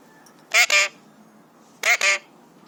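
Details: Excited three-year-old pet Alexandrine parakeet that imitates coughs, whistles and screams, giving two raspy double screams, each a pair of harsh bursts, about one and a half seconds apart, in a quiet room.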